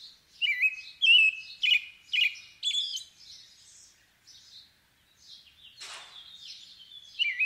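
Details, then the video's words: American robin carols in short, rich whistled phrases, five loud ones in quick succession, then softer, fainter phrases with brief pauses between them. "American Robin Sounds"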